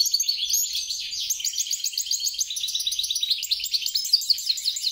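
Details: European goldfinch × grey-crowned goldfinch mule singing a steady, rhythmic series of rapid trilled phrases and tinkling chirps, high and unbroken.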